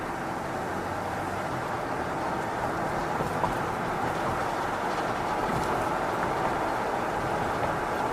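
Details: Dense continuous rumble and rattle of a moving vehicle or train throughout.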